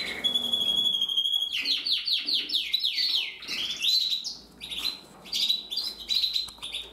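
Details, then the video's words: Very small male Gloster canary singing: a steady whistled note with bright harmonics, then a rapid run of repeated high chirps and trills, sliding buzzy phrases and short twittering bursts, loud and continuous throughout. "Kanarienvogel Gloster Fancy"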